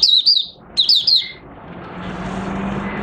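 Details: Oriental white-eye kept caged, starting to sing on 25 August 2022 after three months of training with an open cage cover and night sleep: a brief flurry of high, falling twittered chirps and a short whistle, then steady background noise and hum.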